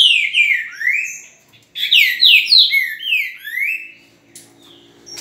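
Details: A green-winged saltator sings at 8:05 in the morning on 10 November: two loud, rich phrases of clear, sliding whistled notes, each note slurring down, with a short pause between the phrases.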